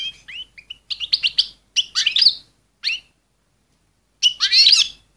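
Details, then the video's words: Calls of an excited female goldfinch meant to rouse males. A rapid string of thin chirps and twittering notes builds, then pauses about a second before a final loud buzzy flourish. "صوت أنثى الحسون الهائجة لتجهيز الذكور في وقت قياسي"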